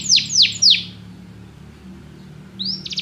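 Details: Canary giving three quick downward-sweeping high notes, a quiet gap with faint low hum, then a short rising phrase into repeated high notes.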